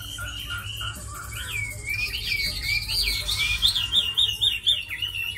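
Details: Captive tame Chinese hwamei, said to fight well and sing well, starts with short soft notes, then breaks into loud looping whistles and quick warbles, over a faint constant hum.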